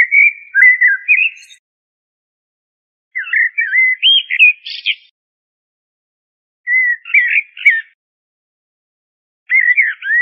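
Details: Common blackbird song as four short warbled phrases, each about a second long, separated by gaps of one to two seconds, some ending in high squeaky notes.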